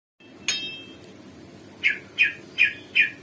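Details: Sumatran leafbird right after bathing, giving a short high burst followed by four clear, slightly buzzy chirps spaced about every third of a second, in a quiet room.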